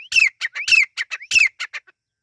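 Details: Partridge chicks, called Irani teetar, uttering a rapid string of scratchy notes, some carrying a thin falling whistle, grouped in threes and fading out at the end.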